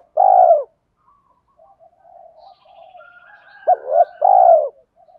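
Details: Spotted dove recording of male and female birds meant to stir captive doves in training. A single long mellow coo opens. Soft low murmuring follows, then a clipped double note and another drawn-out coo.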